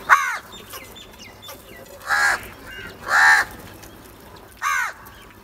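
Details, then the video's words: A short sharp caw, then two louder drawn-out harsh caws about a second apart and a final short caw, from crows over a low background hum. "Crow sounds | کوے کی آواز"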